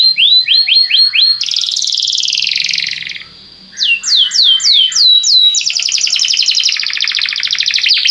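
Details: Belgian canary singing to prompt other canaries to sing: loud high tours of repeated upslurred whistles, then fast buzzy trills and rattling rolls, a brief pause midway, no other sounds.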